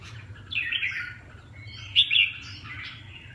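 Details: Red-whiskered bulbul uttering a few slurred, warbling whistled notes with a sharper accented phrase midway, over a faint low hum.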